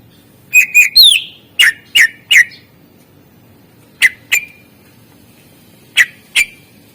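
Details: Greater green leafbird fill-in song from a master recording meant to coax lazy birds into singing. A clear descending whistle opens, then sharp, loud chip notes come in pairs and triplets with gaps of about two seconds.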